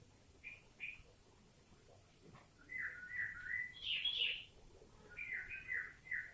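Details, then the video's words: Sooty-headed bulbul singing with green leafbird (cucak ijo) phrases worked in: two short whistled notes, then a run of quick slurred bubbly phrases, a brighter higher burst, and more rolling slurred notes over steady background hiss. "Tembakan Burung kutilang isian Cucok ijo"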